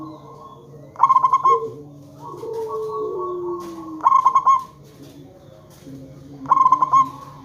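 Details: Zebra dove of a local type, used to get other zebra doves to answer, gives three bubbling coos of fast beaded notes about three seconds apart. Quieter sliding tones fill the gaps.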